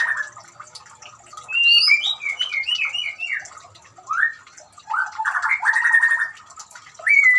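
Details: White-rumped shama song set against running water for a shama that will not sing; a series of short whistled notes, a slurred whistle, then a harsh buzzy chatter, with steady water noise.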